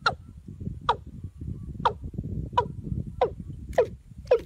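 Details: Watercock, trapped using a female decoy: seven abrupt falling notes in just over four seconds, later ones dropping lower with a low hook, against a murmur of low-pitched background noise.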